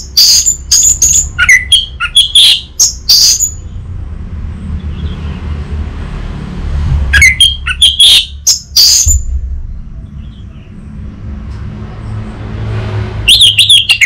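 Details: Orange-headed thrush kept in captivity in north Bali, Indonesia, recorded as a training lure for untrained birds: bursts of sharp, varied whistled chirps separated by quiet gaps of several seconds, with faint low background rumble.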